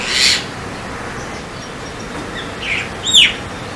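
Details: Javan myna, also called White-vented Myna: a short harsh, broadband rasp, then after a pause a few thin whistled notes and a bright downward-curving whistle, over steady background hiss.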